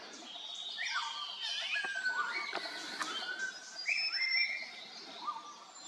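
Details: Grey-sided laughingthrush (Pterorhinus caerulatus) at Khonoma, Nagaland, India, in April, giving clear whistled notes with several sharply rising or falling slurs, over a steady wash of high chattering from other birds.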